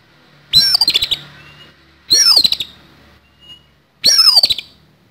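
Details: Oriental magpie-robin (kacer) fighting song, a harsh-filled style; three loud phrases each opening with a high whistled note followed by rapid buzzy rattling bursts, spaced about every two seconds, quiet between.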